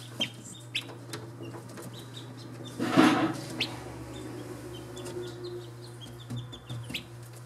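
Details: Wild Australian shelduck (Tadorna tadornoides) ducklings give thin, high peeps in short scattered bursts over a steady low hum, with one louder rustling burst midway.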